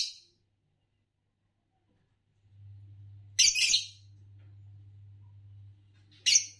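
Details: Scratchy high chirps from a Fischer's lovebird: a brief harsh note, a pause, then a double rasping burst and one more sharp shriek, with a steady low hum behind.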